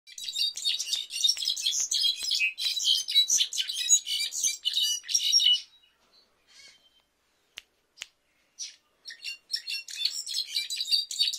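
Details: Mexican goldfinch in clarin-style song: dense runs of bright, twittering high notes with rapid trills for about five seconds, a few scattered chips, then the chattering warble resumes.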